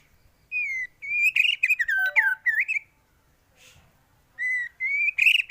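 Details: White-rumped shama tutor song for teaching other birds: clear drawn-out whistles, some falling and some rising, mixed with a few sharp metallic notes, in short bursts separated by pauses.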